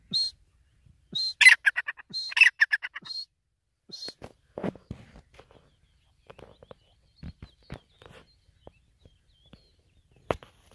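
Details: Grey francolin, an Iranian-type bird, giving a short series of harsh, rhythmic call notes with sharp high whistled starts, a burst of about two seconds, then scattered clicks and faint knocks in a quiet setting.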